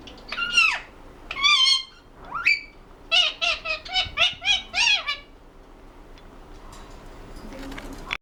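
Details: Pet ringneck parrot at home giving a close run of harsh chattering notes: a few swooping squawks, then about six quick bursts in a row, each sliding up and then down, before falling quiet.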